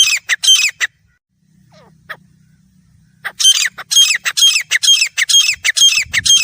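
Grey francolin giving loud, harsh, shrill notes in quick repeated bursts, about two a second, with a brief quiet pause and a low hum partway through.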